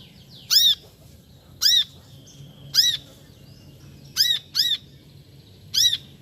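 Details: Six sharp, arched chirps from a brown-throated sunbird, mostly evenly spaced about a second apart, one pair close together, over faint background noise.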